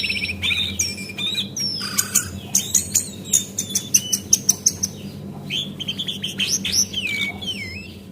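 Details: Female Javan white-eye calling as a lure to get birds singing: varied whistles, then a run of about a dozen rapid, evenly spaced sharp chips, ending in wavering slurred notes.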